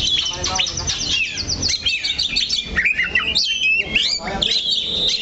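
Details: A perched oriental magpie-robin (kacer) opens with rapid repeated chips, then moves into sweeping whistles and clear rising and falling notes, loud and varied, over faint background noise.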